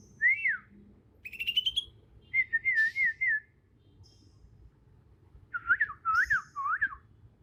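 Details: Wild young Bornean green magpie from Kalimantan, natural song before learning other birds' phrases; arched whistles, a rising buzzy run, a wavering whistled series, then three looping whistled notes.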